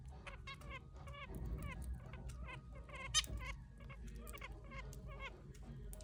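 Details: Pet zebra finch eating from a person's hand: short nasal, harmonic call notes repeated rapidly and unevenly, several per second throughout, over a low background rumble and faint pecking sounds.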